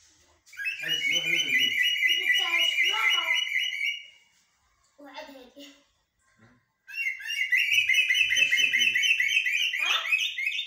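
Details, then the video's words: Common blackbird singing in styles locally called blacksmith and military: long, loud bursts of rich whistled and chattering warbles, a brief pause with faint talking, then another sustained rapid phrase sequence. "طائر الجحمومية أو الشحرور بتغاريد حدادية و عسكرية"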